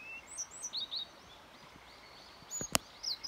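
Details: Song of a yellow bunting, recorded 29 May 2021: a quick phrase of high, thin slurred notes in the first second, then quiet hiss and a sharp click followed by a few more high notes.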